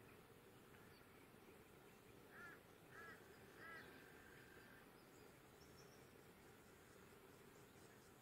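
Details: Galah filmed at Neureum Park, Queensland, in October 2024: three short, arched, mid-pitched calls at intervals of under a second, faint against steady broadband background noise.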